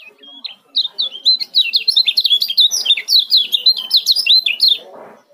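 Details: Male kecial kuning of Lombok chattering in a dense ciak series, dozens of sharp, high, slurred chirps in rapid succession over four seconds, ending with a soft rustle.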